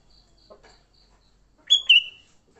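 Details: Sooty-headed bulbul in fighting mode, a recording meant to lure other bulbuls: one brief, bright, warbled phrase sliding downward, preceded by faint soft chirps and a thin high buzz.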